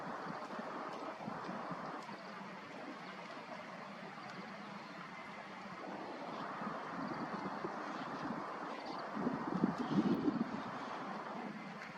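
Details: Only steady wind and a low rumbling noise are heard, with no animal voices.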